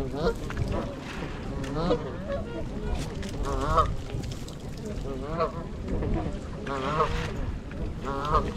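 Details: Wild flock of 42 trumpeter swans, 26 adults and 16 juveniles, in winter on January 8 at Gallup Park, Ann Arbor, Michigan, recorded on a GoPro. Nasal, wavering honks overlap continuously from many birds over a steady low rumble.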